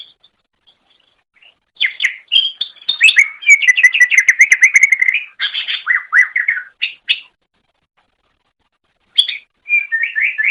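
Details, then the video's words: Greater green leafbird singing on a pet-bird training recording: long bursts of rapid, varied twittering and trilled notes, a silent gap of about two seconds, then the song resumes. "Suara Burung Cucak Ijo"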